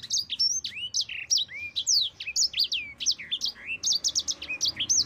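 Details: Mozambique canary singing a long rolling song used for training other birds: rapid sequence of bright, sweeping whistled notes, rising and falling slurs repeated in quick succession with short gaps.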